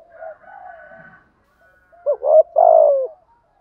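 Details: Spotted dove using the 'thúc gù' coo to attract wild doves: faint wavering low coos, then a louder phrase of two quick notes and a long hoarse coo sliding down.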